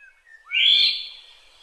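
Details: Black-naped oriole in Kaohsiung, Taiwan, 9 May 2016: a single harsh, nasal, mewing note of about half a second, loud and broad, preceded by a faint thin whistle.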